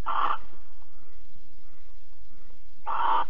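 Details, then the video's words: Barn owl at Alphen on 22 April 2020 at 21:37, during mating and cuddling: two short, harsh, hissing bursts, one at the start and one near the end, separated by quiet, over a steady low hum. "Kerkuil Alphen 2020 04 22 Paring en Kroelen 21 37"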